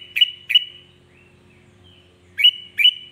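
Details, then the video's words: Short bright notes from a sooty-headed bulbul whose singing is said to rouse other bulbuls: two quick chirps, a pause with faint soft notes, then two more sharp rising-falling chirps. "Hanya hitungan detik kutilang lain pasti ikut emosi"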